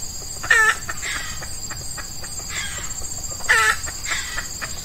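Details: Red junglefowl decoy trapping: an F1 hen lures an old wild cock at dawn in hot Ramadan weather, males in breeding mood; two loud brief calls three seconds apart, quieter ticks between, steady high insect drone.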